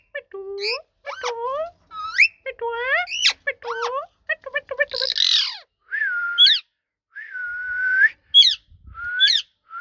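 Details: Ringneck parrot talking in voice-like harmonic syllables, quick and varied, then a harsh rasp, long even whistles and sharp rising squeaks.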